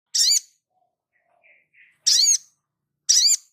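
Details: Crimson sunbird singing actively; three sharp, very high chirps with a bent, tumbling shape, spaced roughly a second apart, with faint soft notes between them.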